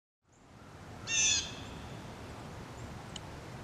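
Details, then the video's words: A fox sparrow gives one harsh, raspy call note lasting under half a second, followed by a faint click, over a steady background hiss. "Fox Sparrow"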